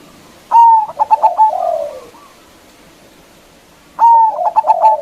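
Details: Local zebra dove calling to provoke rivals: two phrases of a held note plus quick short notes, each overlapped by a lower, drawn-out, descending hoarse coo.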